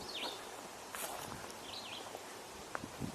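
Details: Red-eyed Vireo singing overhead on a walking tour on 13 June: two short, slurred whistled phrases about a second and a half apart, faint against rustling and outdoor background noise.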